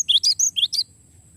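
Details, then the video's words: Cinereous tit in long rolling 'ngeroll' song, a style used for tutoring songbirds: six quick sharp whistled notes in an even rattling series, high and sweeping, ending abruptly before near silence. "suara glatik batu ngeroll panjang"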